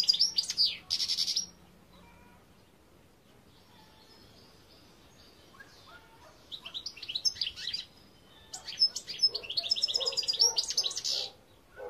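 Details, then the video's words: European goldfinch delivering a long, rambling song of high twitters, buzzy trills and chirps, loud at the opening, then a pause, then a sustained excited flurry of notes toward the end. "Chant Chardonneret"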